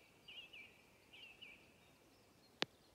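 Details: Redwing song recorded 7 June 2023 at Hedströmstjärnen near Galtström: two brief high twittering bursts at steady pitch about a second apart, followed by a single sharp click.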